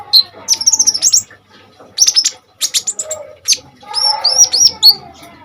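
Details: Common iora in full, lively song, used as a tutor and lure for training kolibri ninja birds; high whistled notes and rapid bursts of sharp chips in several phrases, with short pauses between them.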